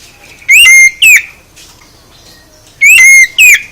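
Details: Song of an oriental magpie-robin meant to make other birds respond: two pairs of loud, ringing whistles, each note sliding upward and then falling, with a long quiet gap between the pairs.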